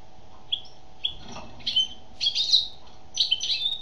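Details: Female European goldfinch singing: a few spaced single chirps build into dense, buzzy twittering phrases, louder toward the end, over a faint steady hum.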